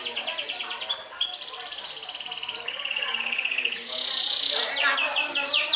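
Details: Champion sobek canary singing in trills to overpower and provoke rivals; a rapid series of bright, high buzzy trills, several sweeping notes, then a long even rattle and more quick repeated phrases.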